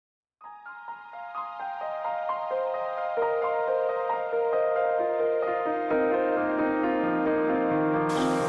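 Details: Gentle piano music with slowly descending notes builds throughout, ending in a burst of noise, and no bird song is heard.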